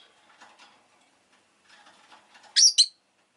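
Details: Pet rosy-faced lovebird gives two piercing high chirps close together at the end, after soft murmuring chatter in the background.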